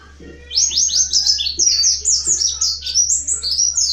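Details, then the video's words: Mountain white-eye, wild-type bird, song used as a lure to prompt other white-eyes to sing. A continuous, fast, high warbling of slurred rising and falling notes runs without a break. Faint low noise sits in the background. "Suara asli pleci montanus gacor buka paruh pancingan pleci ngalas gacor nembak"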